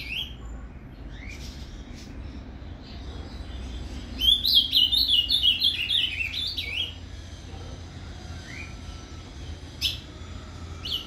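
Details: Paraná canto fibra from a captive ultramarine grosbeak, meant to excite another azulão: scattered single notes lead into a dense burst of rapid warbled whistles lasting about three seconds, followed by sparse isolated notes.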